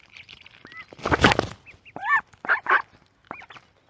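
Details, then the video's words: Little duck giving a loud, harsh, noisy quack burst, then several quick rising-and-falling peeps and short raspy calls in a tight cluster, with a last hooked peep near the close. "little duck sound"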